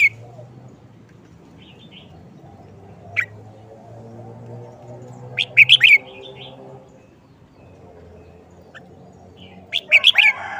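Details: Red-whiskered bulbul showing off its short-phrase singing style: two bright, quick bursts of three or four whistled, warbling notes, about four seconds apart, over a steady low hum.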